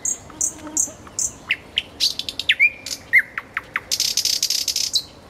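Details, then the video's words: Common nightingale singing beside a road: fast, varied phrases of high whistles, sharp chips and slurred notes, ending in a dense buzzy rattle. "соловей у дороги Luscinia megarhynchos"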